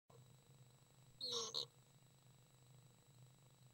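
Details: Three young common swifts during a feeding session on May 30th 2012; a short, high, shrill double burst of calls lasting under half a second, then only a steady low hum.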